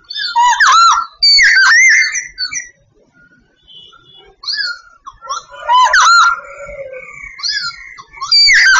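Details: Sooty babbler song from Vietnam: loud bursts of layered whistles and chattering notes, a quiet break, then another vigorous phrase of arching whistles.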